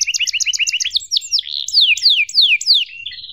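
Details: Young canaries are tutored with this long, cuit-cuit emosi style canary song: quick paired chirps repeated about six times a second, then loud, sharply downslurred whistles in a rhythmic series.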